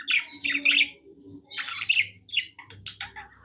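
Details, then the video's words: Budgie singing happily: squeaky, whistled chirps and grating chatter in separate short phrases, quieter toward the end, with a low hum throughout. "Happy budgie singing"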